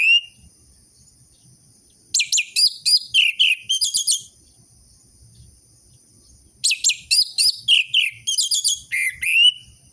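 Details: Song of an orange-headed thrush, played to stimulate silent captive birds into singing: two bursts of about two seconds each, made of quick, tumbling, varied high notes and short trills separated by a few seconds of silence.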